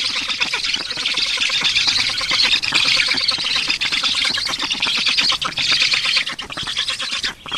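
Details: Estonian black storks during a feeding on 15 June 2019, 14:23, producing a continuous grating, rattling squeal of rapid pulses that eases slightly toward the end amid steady hiss.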